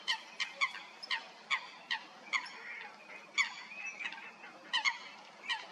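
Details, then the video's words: Eurasian coots fighting at Stodmarsh, Kent, UK: short sharp harmonic notes repeated irregularly, roughly two per second, some paired, over faint low background noise. "Coots fighting"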